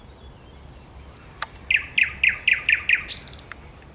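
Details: Thrush nightingale song recorded 10 May 2021, opening with high thin whistles and then a rapid series of about seven hard, knocking notes repeated at steady intervals, closing with a short high flourish; no other clear sounds.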